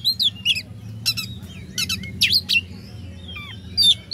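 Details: Oriental magpie-robin song to provoke rival birds: short harsh chirps and bright whistled sweeps, spaced irregularly, over low background hum.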